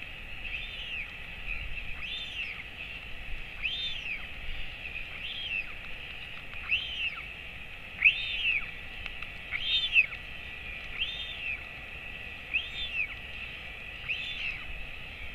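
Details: Royal albatross chick, male, 217 days old, fed by its father at the breeding colony on 28 August 2024; a long run of about ten arched, slightly buzzy calls roughly every one and a half seconds, light wind behind.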